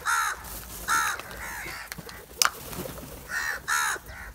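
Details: Large group of black crows mobbing a piece of cheese, giving repeated hoarse caws, roughly five short bursts spaced under a second apart, with a sharp click and faint background noise between calls.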